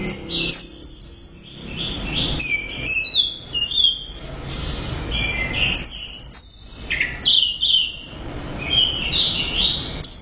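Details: Orange-headed thrush in full, loud song, mixing looping whistled notes, buzzy trills and sharp high chips in a nearly continuous, varied medley with short gaps.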